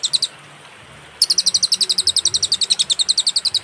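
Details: Cililin song on a clear, paused master track for training songbirds: a few quick high chirps, a short silent gap, then a long rapid series of bright, piercing notes at roughly four per second.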